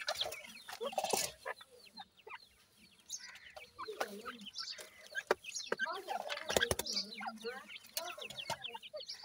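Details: Dakhni and desi teetar chicks at feeding time give a busy chorus of high squeaky peeps and trilled chirps, interrupted by sharp clicks and tapping sounds, with low murmuring throughout.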